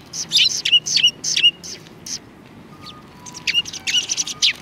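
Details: Several sparrows in front of a cultural hall on 7 February 2020, coming out to greet someone. Loud sharp chirps sound in rapid succession, fall quiet around the middle, then return in a fresh run of chirping.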